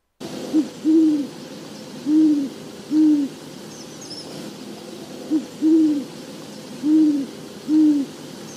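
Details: A nocturnal Great Horned Owl of eastern North America gives two deep, soft hooting series, each a quick stuttered hoot followed by three longer, even hoots, with a quiet background.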